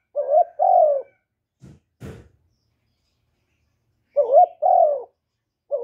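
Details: Spotted dove calling to stimulate males: mellow two-note coos, a short rising note then a longer falling one, with a dull knock between the phrases and a new coo starting at the end.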